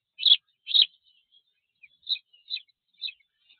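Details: Spanish sparrow at a black stork nest in Tajo Internacional, Spain, recorded on 27 June 2024 by a nest camera: two loud sharp chirps followed by three softer, higher chirps spaced about half a second apart.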